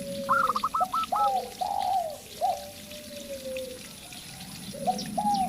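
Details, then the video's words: A local zebra dove opens with a quick trill of clipped high coos, then a spotted dove lure bird takes over with a series of long, descending, drawn-out coos fading away. "Perkutut Lokal Gacor"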